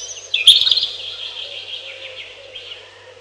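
A robin sings a bright, high warbling phrase that starts with a sharp burst and trails off into thin, varied notes, over a faint low hum.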